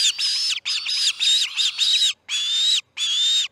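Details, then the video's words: Osprey at a nest in Charlo as the chick C6 fledges, early morning of 10 August 2018: loud, clear whistled chirps in bursts, strongly repeated, some notes drawn out with a slightly rising then level tone. "C6 fledges - Charlo osprey nest"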